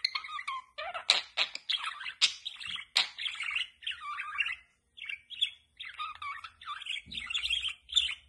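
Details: A happy pet budgerigar chatters in a rapid run of warbling chirps, squeaks and sharp clicks.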